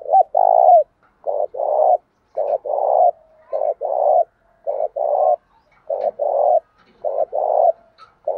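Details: Spotted dove cooing in the Thổ đồng voice style to provoke rivals to fight and train decoy birds. Short hoarse coo notes come in quick pairs, repeated steadily with brief silences in between.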